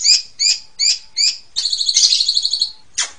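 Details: Asian pied starling recorded for bird training: four harsh, evenly spaced rasping notes, then a long buzzy chattering rattle and a final harsh note.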